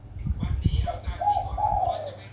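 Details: Captive spotted dove, caught seven days earlier, already calling on a sunny day after storms: a low, hoarse cooing song of a short coo then two longer drawn-out notes that sag at the end, over low rumbling background noise.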